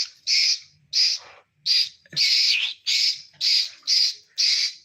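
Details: Caged pet talking parrot making harsh, noisy squawks repeated about twice a second in a steady series, while its owner talks nearby.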